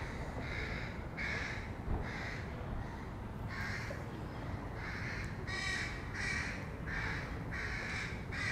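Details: Young crows at feeding time, a long series of raspy, nasal caws at an uneven pace of roughly one and a half per second, over a steady low rumble.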